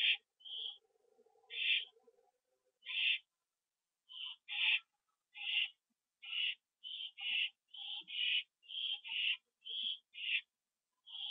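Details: Two owls back at their nest on the evening of 27 September 2011, about 7:08 PM, calling on their return: some twenty short, harsh, hissing screech bursts in uneven succession, with faint lower rasping early on.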